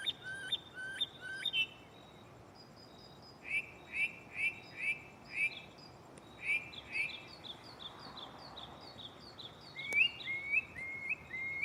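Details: A mockingbird in a tree right beside the listener at night runs through its catalog of mixed phrases: quick whistled notes, then a run of clipped chirps about twice a second, then bright rising slurred notes.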